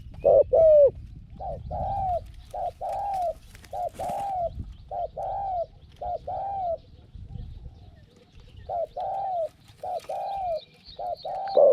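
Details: Trapping scene with a decoy spotted dove at a pen trap: many short, rounded coo notes in uneven runs, sounding like doves answering each other, with a faint high twitter from another bird and low background rumble.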